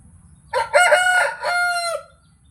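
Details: Desi rooster, a native village chicken, crowing once: a loud, harsh, rich-toned cock-a-doodle-doo in several linked syllables, ending in a long held note that drops at the end, over a faint low background rumble.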